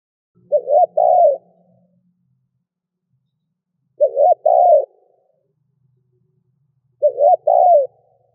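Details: Cooing spotted dove, a recording for prompting decoy doves to call fast: three matching phrases of short, throaty, hollow coos, each ending in a drawn-out note, repeated about every three seconds, with a faint low hum at the start.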